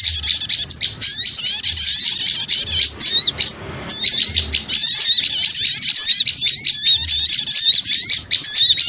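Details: Small birds in a noisy lure chorus, with thick, continuous high twittering and zigzag trills and a short quieter gap near the middle before the busy chirping resumes.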